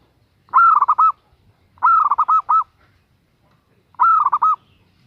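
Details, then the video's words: A female zebra dove calls a male, giving three phrases about every one and a half seconds. Each opens with a longer note and breaks into a short, rapid trill-like series of notes. "Perkutut Betina Memanggil Jantan"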